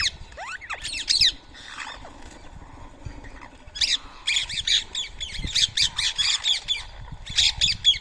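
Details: Harsh screeching calls of Rose-ringed parakeets at a morning rice feeding, Coimbatore, India, 31 March 2024, 7 AM. Sharp rising-falling notes come early, then a steady run of rapid, overlapping screeches from several birds.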